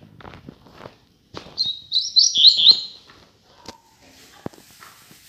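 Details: Caged male Double-collared seedeater sunbathing in the morning after a bath gives a quiet, high, warbling phrase of about a second and a half, sung softly because another loose seedeater is nearby; faint clicks, brief voice before.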